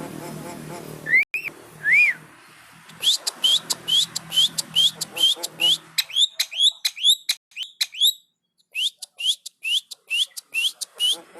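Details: Javan myna nodding its head while singing a long, energetic bout of rapid buzzy notes and rising whistles, repeated about twice a second, with brief chattering passages.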